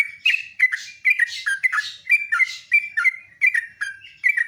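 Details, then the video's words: A sooty-headed bulbul sings loudly at dawn: rapid clipped whistles in a lively, repeating pattern, roughly two phrases per second, accompanied by breathy hiss-like bursts. "LIVE PAGI KICAUAN TRUCUK PALING MERDU"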